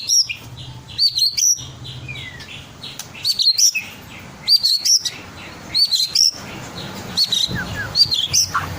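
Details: White-rumped shama, twelve months old and ringed, kept caged and singing to provoke other birds to answer: short high bursts of sharp whistled chips repeated every second or so, with faint distant twitters between.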